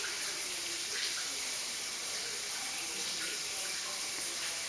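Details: Steady hiss of running water from a tap indoors, with no clear animal voice.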